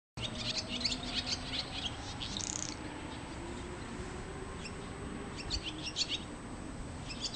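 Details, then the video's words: A swallow visiting a home garden gives faint, high twittering chirps in scattered bursts over a steady hiss of background noise and a thin constant electronic whine. "ツバメの鳴声・Cries of swallow"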